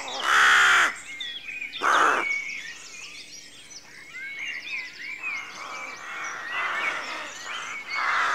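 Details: Two loud, hoarse rook caws open this dawn scene at a rookery, then softer, distant cawing continues beneath busy high chirps and trills of other birds.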